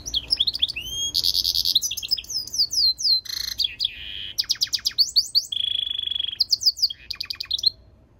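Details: Goldfinch mule (goldfinch crossed with canary) in full song, packing bright rising and falling whistles, dry rattling trills, a level sustained buzz and quick descending twitter notes into a continuous, rapidly changing phrase.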